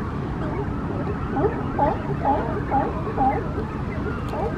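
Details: At a busy Coast Guard pier colony in Monterey, California, a Brandt's cormorant family with three chicks; short, nasal, upslurred notes repeated about twice a second over a constant low rumble of water and distant noise.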